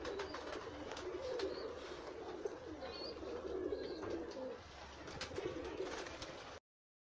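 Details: Many pigeons kept together in a pigeon house give low, soft cooing notes that overlap into a steady murmur, with scattered clicks and shuffling from the flock.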